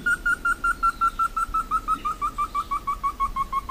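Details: Whistled song of the Slaty bristlefront, a bird found only in Brazil: quick repeated notes, about three per second, starting level and then stepping gradually lower, with low background noise.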